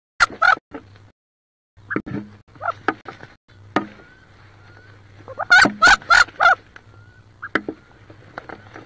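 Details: Inside a wood duck nest box near Richland, WA, hens squabble over a nest with roughly 18 eggs: rapid clusters of sharp, squealing calls, several in quick succession, over a steady low hum and scuffling.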